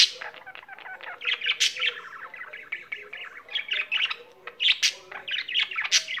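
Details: Pet budgerigar singing a dense, scratchy chatter of rapid chirps and clicks that swells and fades in short bursts, with a faint hum behind it.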